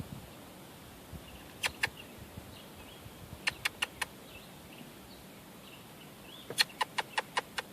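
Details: Raven, possibly hungry, making weird noises near people: sharp, hollow knocking clicks in quick bursts of two, then four, then six, about four a second, over soft hiss.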